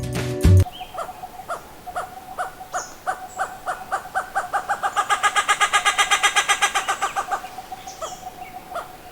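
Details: Endemic Sri Lanka grey hornbill, linked to Wilpattu National Park, Sri Lanka, a bird found in pairs and groups in forest and woodland: spaced clucking notes quicken into a fast laughing cackle of about four notes a second, then slow and fade; a sharp knock opens.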